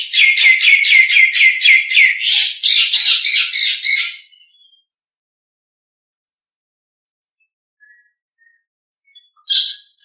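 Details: Nias hill myna master recording for teaching other birds: a rapid series of about fifteen repeated loud, harsh chattering notes over four seconds, then near silence with faint whistles and a final rasping note.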